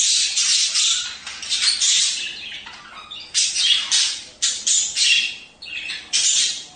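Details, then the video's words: Budgerigar song to encourage mating: loud, continuous harsh chattering made of buzzy, scratchy bursts separated by brief gaps. "تحفيز البادجي على التزاوج"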